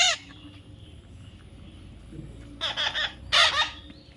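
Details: Baby parrot being tamed: a brief harsh squawk at the start, then a long quiet stretch before two loud, raspy squawks close together at the end.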